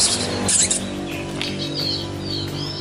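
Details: A captive Oriental magpie-robin with a lively, responsive temperament answers a played magpie-robin recording with a few quick, clear whistled notes, rising and falling, over a steady musical hum and a brief rustle.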